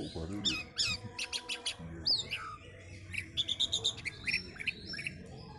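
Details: Caged pet orange-headed thrush moments before a songbird contest, giving a varied string of high clipped notes and short whistles, with a human voice at the start and faint background murmur.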